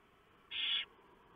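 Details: Barn owl at its nest, 3:59 AM, 3 November 2015, during delivery of a huge mouse that the female shreds for the owlets; a single loud, rough hiss of about a third of a second.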